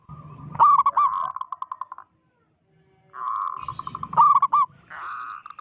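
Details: Zebra dove, a loud local bird whose call is meant to panic other zebra doves: two phrases, each starting with sharp stuttering notes and running into a rattling cooing trill, separated by about a second of silence.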